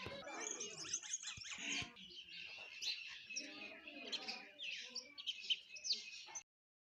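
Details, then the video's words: Sparrows chirping over their food in a thick, high-pitched jumble of chirps from several birds, ending abruptly in silence. "eating Sparrow Chirping Sound | Sparrow Birds Eating Food Chirping"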